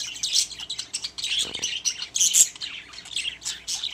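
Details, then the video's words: Several caged pet budgies chirping and warbling in quick, overlapping bursts, high and scratchy, with a few louder squawk-like notes rising above the steady chatter. "My Happy Budgies | Spreading Love in the Cage"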